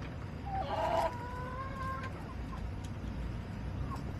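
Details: Backyard chicken flock recorded July 17, 2024: one loud, nasal, harmonic squawk swelling then holding for about a second and a half, followed by a few faint clucks over a low rumble.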